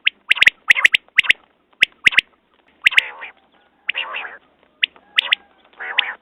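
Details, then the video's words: Quail giving quick bursts of sharp clipped notes in twos and threes, mixed with softer nasal, mewing notes and sharp clicks, repeated about once a second. "Batair Ki Awaz New Quail sounds"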